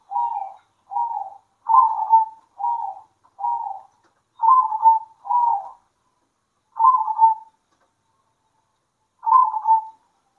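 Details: At midday, local zebra doves call back and forth in song, giving a string of short, evenly spaced rolling coo notes, then longer gaps before two more phrases.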